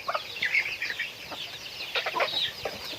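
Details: Chickens in daily activity give rapid, thin, high peeping notes that overlap, with brief louder chirps scattered through the short stretch.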